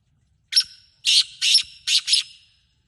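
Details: Call of a black francolin from Sindh, Pakistan: five strident, grating notes in a rhythmic phrase lasting about two seconds, the final pair close together, against a quiet background.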